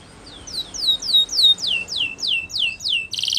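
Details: Spanish Timbrado canary song for training, heard against a hissy background: a slow series of clear downward-sliding whistles about four per second, closing with a short buzzy burst.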